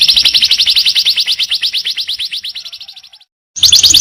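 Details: Canary in a training recording with a long, even trill of rapidly repeated high notes that fades out, a short silence, then a loud new phrase bursting in.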